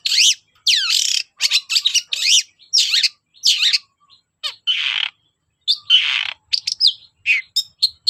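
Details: Long-tailed shrike singing hard as a lure to get other shrikes to answer: loud harsh buzzy notes and slurred whistles in clipped bursts, with a couple of broad raspy calls midway and brief pauses.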